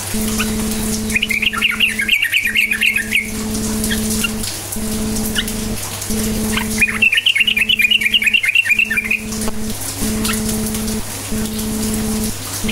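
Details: Yellow-vented bulbul singing a lively lure song meant to prompt silent bulbuls to answer: two bubbly bursts of quick chirped notes, each about two seconds, over a steady pulsing mechanical hum.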